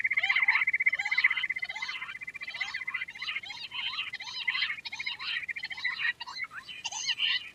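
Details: Quail with a rapid steady trill beneath repeated harsh, slurred, buzzy notes that overlap throughout.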